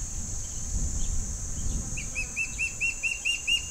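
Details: Begging calls of two juvenile Gabar Goshawks perched in a tree, waiting for parents to deliver food. Low rumbling noise first, then about ten clipped, high piping notes in quick succession, with a constant shrill insect hum behind.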